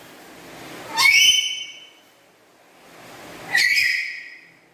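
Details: Two loud calls from a kept black-capped lory, about two and a half seconds apart, each a brief harsh burst that turns into a ringing whistled tone. The chattering voice is described as melodious and loud.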